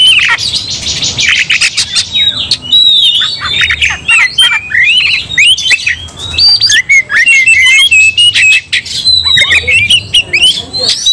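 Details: Oriental magpie-robins (kacer) in an angry fighting song, one bird setting off the others: a fast opening buzz of clicks, then long runs of varied, loud whistles and harsh notes from several overlapping birds.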